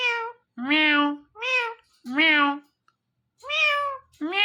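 An Indian ringneck parrot gives five cat-like meows in under five seconds, each a rich, nasal wail that rises slightly and then falls away.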